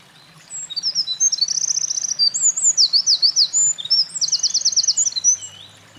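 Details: Eurasian wren singing vigorously at a mountain pass on 28 April 2024 after carrying nest material; a loud, fast high-pitched song of sharp notes and rapid trills, with two long buzzing rattles, from roughly half a second to five and a half seconds.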